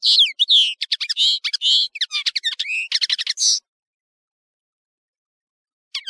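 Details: European serin, called nino in Algeria and kamatcho in Morocco, singing on a bird-tutoring recording: a hurried, high jangling phrase of mixed chirps and rising and falling twitters lasting about three and a half seconds, then a brief note after silence.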